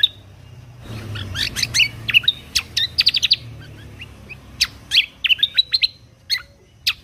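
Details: Lesser green leafbird, called kecial kombok, singing 'tembakan' phrases for songbird contest training: quick clusters of piercing, high, staccato chips and short whistled slurs, some in rapid runs of four or five, with brief pauses between.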